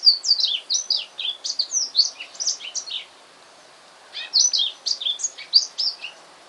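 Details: Newly purchased male black-throated canary singing at home: two rapid phrases of high chirps and descending whistled slurs, separated by a second-long pause, with soft background hiss.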